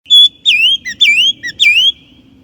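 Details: Chinese blackbird singing a clear, loud phrase: a sustained whistle followed by three slurred, wavering whistled notes, each dipping then rising, with short chip notes between them.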